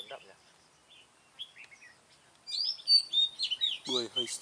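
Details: Red-whiskered Bulbul at a trapping site for wild bulbuls, recorded 20 June 2018: faint scattered notes, then loud quick whistled, warbling phrases in the second half, with a brief burst of human voice near the end.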